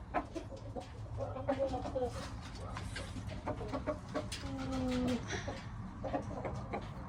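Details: Six-month-old Aseel cockerel making scattered short clucks and brief tonal calls, including a drawn-out note near the five-second mark, over a constant low background hum.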